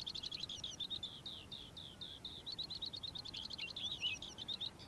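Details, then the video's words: A calandra lark (Melanocorypha calandra) sings in the morning, a fast, continuous stream of high chirps, rattles and trills with no pause across the whole passage, over a faint background hiss. "Calandra Lark Bird Singing In The Morning"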